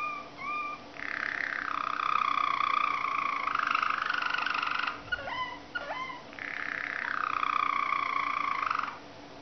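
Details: Malinois or Waterslager canary song: a short rising whistle, long loud buzzing rolls, a few sliding bubbly notes in the middle, then another extended roll.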